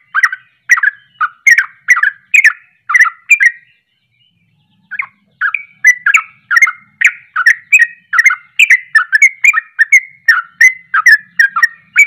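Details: Sooty-headed bulbul singing the emotional ropelan style that heats up other bulbuls: fast tumbling chirpy notes for four seconds, a short break, then an even denser run of repeated bubbly phrases.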